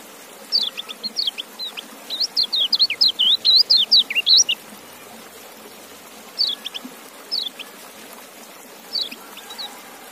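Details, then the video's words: White-eye song: a fast burst of high, twittering, zigzag notes lasting about four seconds, then pauses broken by short two- or three-note phrases. Background otherwise quiet. "Relaksasi Suara Kecial"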